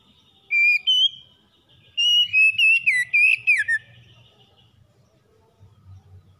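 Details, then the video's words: Morning song of a magpie-robin for calming a stressed bird: a short whistled pair, then a run of rapid slurred whistles dropping at the end, followed by near silence. "PEMULIHAN KACER SETRES DENGAN KICAUN PAGI CEPAT GACOR"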